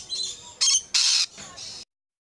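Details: Lorikeet squawking close-up at Lion Country Safari, Florida, after a couple of lorikeets briefly fought or disagreed: harsh screeching burst of four or five blasts, two loud and rasping, ending abruptly.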